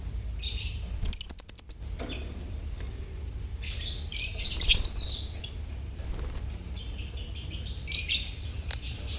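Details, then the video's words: Lovebirds in a colony, sounds meant to coax silent birds into singing: rapid clicking rattle early, then dense overlapping shrill chirps and twitters from several birds above a constant low hum. "Pancingan Suara Lovebird Koloni untuk pancingan lovebird bisu"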